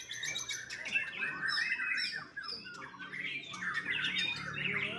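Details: Young white-rumped shama, captive-bred, singing a dense, continuous warbling stream of varied whistles, chattering trills and squeaky notes with rapid pitch changes, loud and unbroken throughout.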